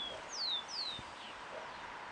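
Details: Hooded siskin recorded at Parque del Plata, Uruguay, on 17 November 2020: two clear descending whistled notes sliding down, with a faint third note, over soft background hiss.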